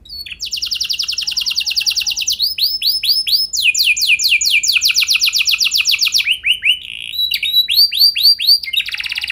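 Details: Canary singing to stimulate other canaries into long rolls: long, fast, high trills alternate with runs of slower, swooping arched notes throughout.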